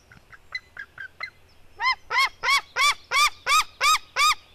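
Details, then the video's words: White-tailed eagle eaglets, a female squabbling with her brother: a few soft, short yelps, then a loud, regular series of eight arched, ringing yelps about three per second. "merikotkas female eaglet fight with her brother"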